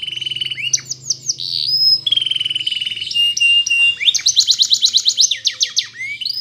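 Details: Spanish Timbrado canary in morning song, delivering flat whistled notes and curved slurs, then a fast, even run of sharp repeated notes, roughly three per second, with faint low hum beneath.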